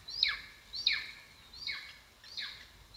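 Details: Golden eagle at its nest on a live camera in Estonia, 2022: four high, thin calls about 0.7 seconds apart, each slurring sharply downward, against quiet background hiss.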